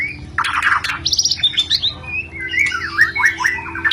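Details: White-rumped shama, a lure recording played to stimulate mating; a varied burst of harsh notes, then buzzy trills and looping whistled phrases with rapid changes in pitch.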